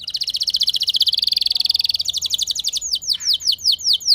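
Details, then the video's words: Rolling canary song meant to trigger other canaries to sing: a long rapid trill of evenly repeated notes, shifting higher halfway, then a series of about seven clear down-slurred whistles. "Cukup Putar Sebentar Saja Burung Kenari Lain Bakal Langsung Ikut Gacor Ngerol Mewah Dengan Pancingan"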